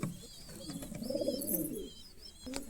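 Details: Girebaz pigeon of a 40-year-old line cooing softly: a low, rolling, slightly rising and falling murmur in the middle, under faint high thin whistles and a few sharp clicks.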